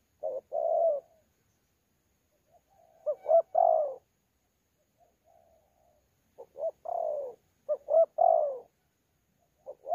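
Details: Spotted dove, wild-caught, 'thổ pha' type, contest cooing at Sa Thầy on 26 November 2019. Low coo phrases come in bursts separated by silences, some with quick stuttered notes before a longer falling coo, with faint soft hums between.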